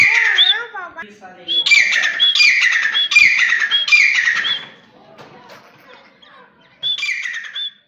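Grey francolin giving loud, harsh, shrill notes in a quick run of four or five, about one every three-quarters of a second, then a pause and one more.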